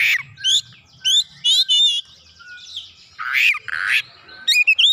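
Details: Kacer, the oriental magpie-robin, responding immediately and fiercely while unloading its learned song material: bright, high whistled phrases with quick up-and-down warbles alternating with loud, harsh rasping bursts, delivered in energetic bouts over five seconds.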